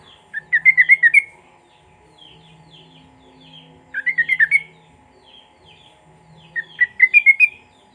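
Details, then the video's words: Sooty-headed bulbul lure song with cucak rowo material for coaxing silent bulbuls into song: three quick rolling phrases of six to eight liquid whistles, roughly every three seconds, with faint chips between and a constant electrical hum. "Paud Trucuk Gacor Materi Cucak Rowo Pancingan Suara Trucuk Macet Bunyi"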